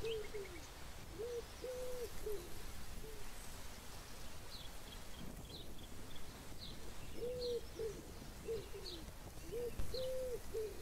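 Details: Repeated Chukar partridge calls in two bouts: clusters of low, arched notes with longer level notes among them, separated by a pause, while faint high chirps from other birds sound in the middle.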